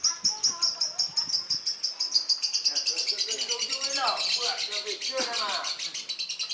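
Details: Captive-born lovebird in breeding condition singing: rapid, steady run of high, pulsed chirps, about six per second, with lower sweeping warbles and chatter mixed in toward the end.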